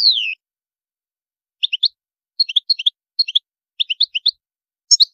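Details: European goldfinch singing: the phrase opens with a smooth descending whistled slur, followed by a series of crisp three-note chirping phrases. Each is spaced by short pauses and the last is a brighter, higher note cluster. The background is quiet.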